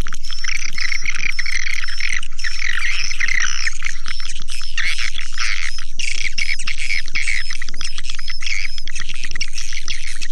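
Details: Busy swiftlet twittering, thin high chirps and short rising whistles packed closely together, above a regular low thumping beat four times a second.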